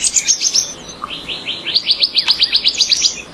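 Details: Brazilian fim-fim, or Purple-throated Euphonia, singing a fast, high chattering trill of sharp repeated notes, about four or five per second, with a short pause midway before the run resumes.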